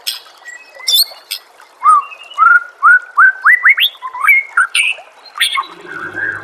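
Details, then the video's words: White-rumped shama master song meant to train a caged bird to sing. Sharp high chips, then a rising sequence of short whistled upslurs, each climbing higher, ending in varied warbled notes. "murai batu anda dengar suara MASTERAN burung seperti ini"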